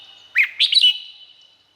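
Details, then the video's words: Red-whiskered bulbul from Thailand delivering a single quick, bubbly phrase of several slurred whistled notes, ending in an echoing fade. "เสียงนกกรงหัวจุก สำหรับต่อ หรือ เปิดให้นกคึก เสียงเพราะๆ"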